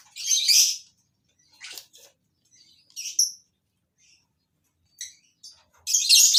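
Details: Colony-bred captive lovebirds: scattered high, harsh chirps separated by silent gaps, opening and closing with louder raspy chatter.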